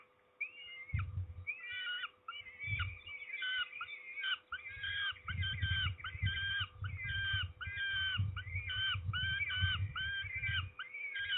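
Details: Peregrine falcon food delivery at a nest in Trzebież on 29 May 2019, early afternoon: rapid, harsh, chevron-shaped calls repeated over one per second in an excited series, with knocking and scraping thumps at the nest and a steady electrical hum.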